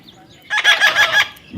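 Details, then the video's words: Parrot outdoors, producing four or five quick, nasal harmonic syllables in an even rhythm over about three quarters of a second. "funny talking parrot compliment.Parrot Talking"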